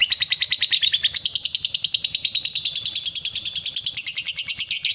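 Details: Long 'ngekek' trill of a lovebird, used to coax other lovebirds into long trills: a steady stream of quick, sharp, high chattering notes, about three per second, sustained five seconds, rising slightly toward the end.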